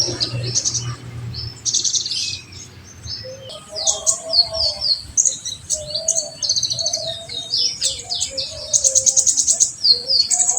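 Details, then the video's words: Olive-backed sunbird, full 'tembakan' song used to stimulate other birds: high, rapid twitters and scratchy bursts, a thin fast trill near the end, with soft lower whistles in the background. "FULL TEMBAKAN UNTUK RANGSANGAN KONIN BAHAN"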